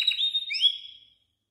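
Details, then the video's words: Goldfinch × canary mule, plumage about 90% canary colour, giving a short song fragment: a steady whistled tone with an upward-sliding note, fading out after about a second, clean background. "Goldfinch Mule 12h Singing"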